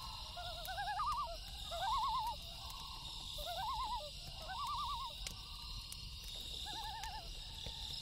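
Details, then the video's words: Loons give quavering, laughing tremolo calls at night, several overlapping phrases rising and falling in pitch, over the crackle and pop of a campfire by a lake and a steady hiss. "Loon Call"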